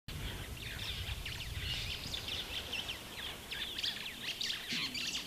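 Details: Superb starling (Lamprotornis superbus) in Kenya giving a busy run of squeaky, chattering and whistled notes, rising and falling rapidly, over a steady low rumble of background noise.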